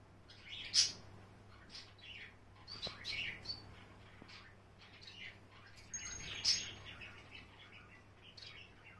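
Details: A pet female Java sparrow, white variety, on a swing in the evening, gives two sharp, high chirps about six seconds apart, with softer scattered chip notes in between over a faint low hum.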